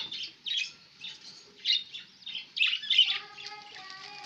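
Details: Budgerigars at home on 11 October 2016, a run of scratchy chirps in pulses about every half second, then a louder squawky burst, ending over a steady low tonal hum.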